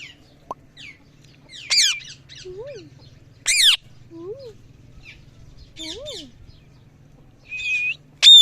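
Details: Parrot making a string of different noises: short harsh squawks, buzzy bursts, soft rising-falling whistled notes and a sharp high squeal at the end, separated by brief pauses, over a low steady hum.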